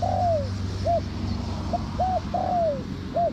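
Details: Spotted dove heard as a trapping lure, a long falling coo followed by short clipped coos, then another long sliding coo and a final short note, with a low background hum.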